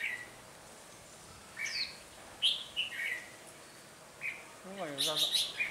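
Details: Caged red-whiskered bulbul decoy in a heated singing duel to draw wild birds toward a trap on a cold windy day; short warbling bursts, then a busy run of notes near the end, with people speaking softly.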